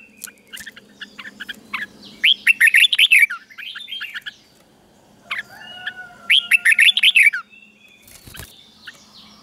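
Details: Red-whiskered bulbul, a Thai caged-bird recording played so young birds copy its doubled song. Two bursts of quick, bright, warbled notes about four seconds apart, each a tight run of rising and falling whistles, with quiet gaps between.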